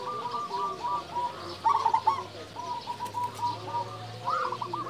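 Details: Local zebra dove with a big voice singing: steady strings of evenly spaced coo notes broken by louder trilled bursts, over fainter cooing from other doves and a low hum.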